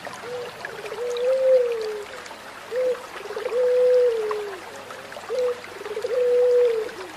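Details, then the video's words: Zebra dove song played as training therapy for pet doves: a repeated phrase of a short note followed by a long, mellow, slightly falling coo, given three times, with flowing water in the background. "Anggunan Terapi Perkutut Bangkok Dan Lokal"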